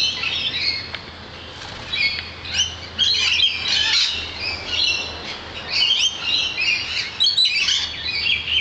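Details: Many lorikeets outside a balcony keep up a dense chorus of shrill, screechy chatter and squeaky notes from several birds at once, with a faint low hum underneath.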